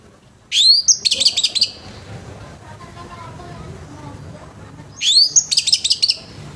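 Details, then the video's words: A rough-voiced orange-headed thrush sings in the morning to get other orange-headed thrushes singing: two high bursts, each a rising squeaky sweep followed by a fast harsh chatter, roughly four seconds apart, with quiet between them. "ANIS MERAH NGEPLONG PAGI‼️SUARA KASAR BIKIN ANIS MERAH BAHAN CEPAT BUNYI‼️"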